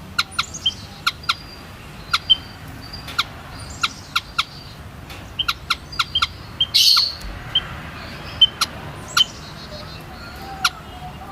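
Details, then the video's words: White-headed munia uttering scattered thin, high piping notes among frequent sharp clicking snaps, with a short noisy flutter near the middle. "WHITE HEADED MUNIA SOUND EFFECT"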